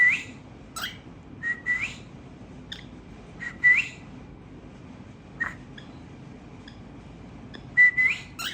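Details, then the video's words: Whistled chirps from a tamed cockatiel of a singing family, scattered short clicks and brief upward-curling whistles, some paired, with uneven gaps between them. "Cockatiel Birds Tamed | Chirping Sounds Family Singing"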